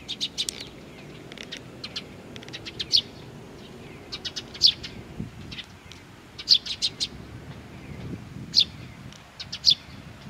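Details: Bird chicks at Tenmangu shrine, Nakanoshima, 25 June 2020, waiting for parents: bursts of rapid high chirping at the start, then louder sharp chirps every second or two, with soft low rumbling sounds beneath.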